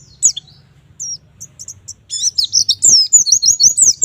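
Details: White-eye (pleci) singing in the steady, bursting 'gacor nembak' style, played to get young birds singing: a few thin high whistles, then from the midpoint a dense run of rapid, high, slurred chirps and twitters.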